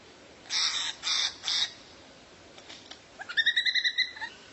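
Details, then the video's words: Bird call used as tutor material for training a white-rumped shama: three loud, raspy, noisy bursts, then a quick series of about eight clipped, nasal, evenly spaced notes. "MASTERAN BURUNG LANGKA YANG BISA JADI SENJATA PAMUNGKAS BURUNG KACER"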